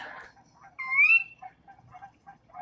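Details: Sora (Porzana carolina) of Wisconsin marshes gives its ker-wee call, a single clear rising whistle sliding upward over about half a second, with faint murmur and rustling.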